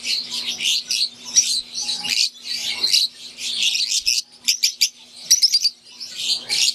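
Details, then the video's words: Aviary flock of wild-type green Fischer's lovebirds with Euwing birds, kept caged: dense, shrill overlapping chirps and squeaks, broken after four seconds by short bursts of rapid ticking notes, over a faint steady low hum. "Wild type Fischer green & Euwing | Relaxing Sound | Birds Chirping"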